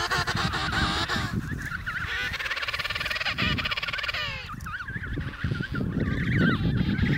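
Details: Emperor penguin chicks at the Snow Hill colony, Antarctica, in November, fill the air with shrill, wavering whistled calls, overlapping quickly and constantly, over a low rumble of wind.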